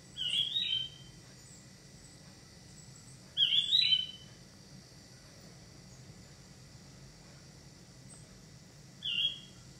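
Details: Pet crested lark giving three short, clear whistled phrases, one at the start, one about three seconds later and a last one near the end, separated by quiet gaps over a faint low hum.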